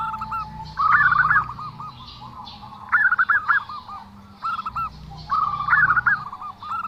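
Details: Unusual call of a zebra dove, repeated three times about every two seconds: a rising, wavering flourish followed by a string of quick stuttering coos, with a faint low hum between phrases.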